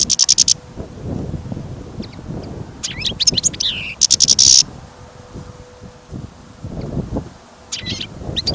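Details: European goldfinch kept caged for listening, out in sudden snow and wind: brief high rattling trills and twittered phrases in short bouts, separated by long gaps of heavy low wind noise.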